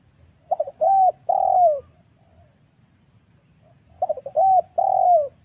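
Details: Wild spotted dove, recorded as a lure for trapping birds: two phrases of a few short stuttering notes followed by two longer, mellow, slightly arching coos, separated by about two seconds of quiet with faint low rumble.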